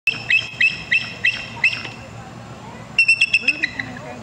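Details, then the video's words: A Bald Eagle at Potter Park Zoo, Lansing, Michigan, on August 24, 2013, gives thin, high piping notes, five spaced about a third of a second apart, then a quicker run of six, with a fainter reply from another eagle behind. "Bald Eagle call"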